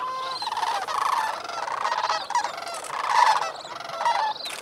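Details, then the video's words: A large flock of Sandhill Cranes calls shortly after sunrise on a cold 18°F morning, 28 November 2010, at North Crane Pool, Bosque del Apache, New Mexico, after roosting on the water, before flying to cornfields: dense, overlapping rolling, trumpeting, rattled notes. "Sandhill Cranes at sunrise"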